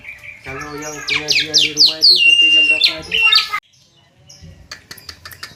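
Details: Javan myna (jalak kebo) in konslet gacor style giving a dense, harsh outburst of squawks mixed with descending whistled slurs and one long flat whistle, then a quiet spell with faint clicks.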